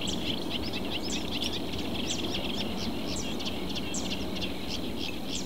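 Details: Reed warbler calling in a reed bed in southern Portugal: a continuous, rhythmic chatter of harsh short high notes, repeated without pause, with a thin high drone and low rumble beneath.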